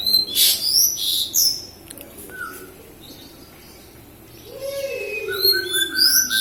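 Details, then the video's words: Javan bush lark from Kediri, Java, in full song: loud, harsh high bursts and whistled slurs, a pause with a lower downslurred note, then a fresh run of rapid chattering phrases. "Branjagan gacor lokal kediri"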